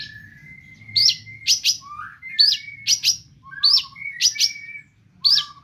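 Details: Long-tailed shrike singing mimicked phrases: steady thin whistles run under loud, harsh, clipped notes repeated roughly every half second, with a faint low hum.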